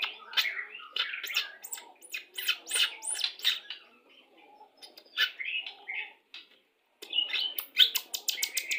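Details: Pastol white-rumped shama lure song for pairing birds into breeding condition: bursts of harsh chattering and clicking notes with some whistled phrases, separated by short gaps.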